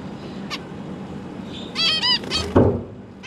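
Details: Zebra finch family, two adults plus three juveniles and three newborns, recorded 12 December 2022 as parents fed chicks: one faint honk, then a loud cluster of three nasal, harmonic calls, a soft thump and hum.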